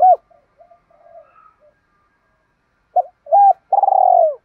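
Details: Cooing of spotted doves, hen and cock, used for training captive birds: one hooked coo, soft low murmurs, a long pause, then two quick coos and a drawn-out, vibrating purr that falls at the end.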